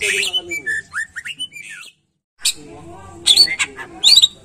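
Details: Greater green leafbird song meant to prompt caged birds into singing: bursts of rich whistles and sharp chips, a short silent gap, then bright high squeaky notes and rapid chatter.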